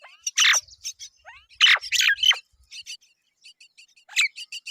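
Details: Mynas, both parents arriving to feed their chicks; loud harsh broadband squawks in bursts alongside rapid thin high chirps repeated in short series, the chirping continuing steadily toward the end.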